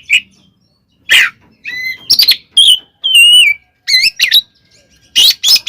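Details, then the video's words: Oriental magpie-robin in a 'tarung konslet' fighting song, used as a lure to provoke other magpie-robins: loud, high whistled notes with sweeping rising and falling phrases, interrupted by short harsh rasping bursts and brief pauses. "SUARA BURUNG kacer gacor TARUNG KONSLET nembak ini AMPUH buat PANCINGAN KACER agar EMOSI SEKETIKA"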